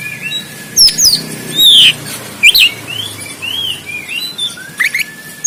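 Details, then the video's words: Oriental magpie-robin in Banten, Indonesia, delivering konslet tarung fighting song, phone-recorded: loud varied whistles, a long sliding note, sharp clicks, then a run of short looping warbles and rising chirps. "KACER KONSLET TARUNG"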